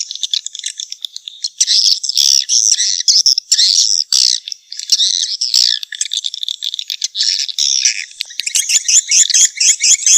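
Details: Swiftlets heard in recordings for beginners in the swiftlet nest business: dense, continuous high twittering with harsh buzzy chirps in rapid bursts, ending in quick ticking repeated notes.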